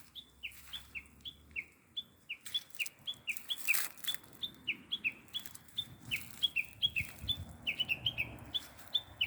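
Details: Small bird chirping busily, with high downward-slurred two-part notes coming rapidly and unevenly, sometimes overlapping, along with a brief noisy rustle midway.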